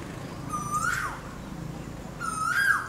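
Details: An Asian koel gives a mating call: two loud, rising whistled notes about one and a half seconds apart, each swelling upward at the end, over faint background hum.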